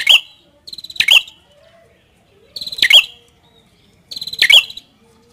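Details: Red-headed prinia: short buzzy, rattling trills, each ending in a harsh, explosive chip. Three phrases come in quick succession, with silence between them.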